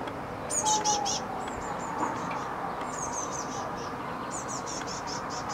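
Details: Great tit chick on a balcony on May 29th, waiting to be fed: bursts of thin, very high-pitched notes in quick runs of four to six, with a pause between bursts, over a steady low background hum.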